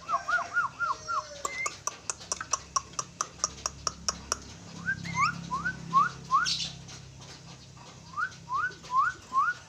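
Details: A pair of Javan mynas: a run of upward-sliding whistled notes, then a quick series of sharp clicks, then more rising whistles repeated at a steady pace of roughly two per second, over a low background hum.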